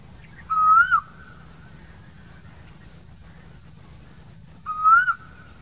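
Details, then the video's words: Two rising whistled calls of an Asian koel in summer trees, roughly four seconds apart, soft faint chirps in the quiet gap between. "Summer Koel Bird sounds"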